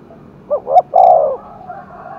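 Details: A single coo phrase from a spotted dove stirred to fight in Đồng Nai's hill forest: two short hollow notes, then one drawn-out low coo.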